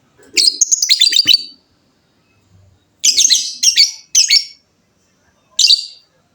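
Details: Shrill, rasping chatter from a fighter lovebird: a dense run of notes lasting over a second, then three close harsh bursts and a final one, separated by silent gaps.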